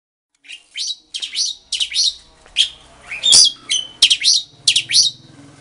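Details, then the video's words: Captive mated pair of Asian pied starlings at a home breeding setup, singing in answer to each other as a sign of a bonded pair; bursts of harsh, chattering, squeaky notes about twice a second, each note sweeping sharply. "Jalak Suren Gacor Genit Bernyanyi. Tanda Burung Jodoh. Pied Starling"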